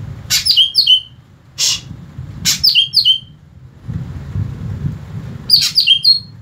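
Greater green leafbird sings three bursts of sharp, high slurred whistles and chips, each tumbling downward for under a second, separated by short pauses and a low background hum.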